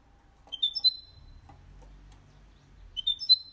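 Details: Hybrid goldfinch × canary singing without errors, meant to stimulate males and teach chicks. Two short bursts of high whistled notes separated by a quiet stretch with faint low background rumble.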